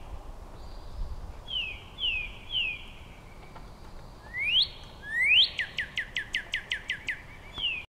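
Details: Male Northern cardinal singing to his mate: three falling whistles, then two loud rising sweeps leading into a fast series of about eight short chips and a final downslurred whistle.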